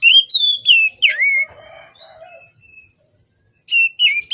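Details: Oriental magpie-robin singing in the morning, used as a lure for birds unwilling to sing: rich whistled notes rising and falling, a softer warbled stretch, a pause, then more clear whistles.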